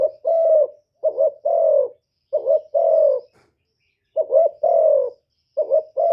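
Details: Decoy spotted dove calling in a cooing duel with a wild bird. Soft low phrases pair a short double note with a sustained, slightly falling coo, repeated several times with brief gaps.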